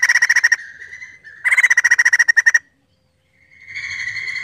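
A White-crested Laughingthrush gives fast bursts of clipped, ringing notes, about a dozen per second, then a drawn-out whistled phrase over a faint low rumble.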